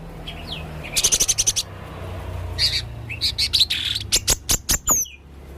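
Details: Male blue-crowned hanging parrot in full, lively voice giving strange calls: sharp, very high chirps in quick bursts of about six, then scattered thin notes and a few downslurred squeaks.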